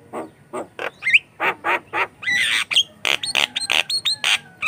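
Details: Javan myna singing in a dense, harsh stream for use as a training lure, with throaty squawks, nasal bursts and a few slurred whistles, about three notes per second.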